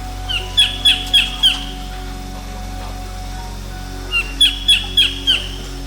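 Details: Collared kingfisher (Todiramphus chloris) in mangroves on Koh Chang island, Thailand, calling: two loud, harsh bursts of four or five shrill, clipped notes in quick succession, over faint music and a low steady hum.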